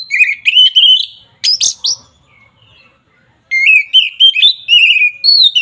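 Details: Oriental magpie-robin (kacer) in agitated, fighting-style song used to provoke rival birds: loud whistled phrases with rapid buzzy trills around the upper mid range, a sharp burst near 1.5 seconds, a short pause, then a long run of varied chattering notes.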